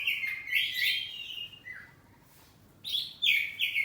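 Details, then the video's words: Home-kept oriental magpie-robin of the kacer poci kind in full ngeplong song, answering back: a strong rolling warble for over a second, a brief lower slur, a pause, then another bright burst of high notes. "Kacer ngeplong saut2an || kacer poci rumahan || suara kacerpoci"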